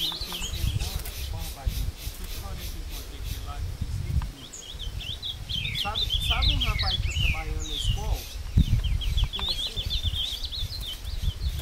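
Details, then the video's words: Bred ultramarine grosbeak singing while fighting a wild one in the woods at Passos, Minas Gerais, Brazil: bright whistled phrases and fast chattering runs, partly masked by a man speaking and background rumble. "Azulão Cantando e Brigando com o solto no mato"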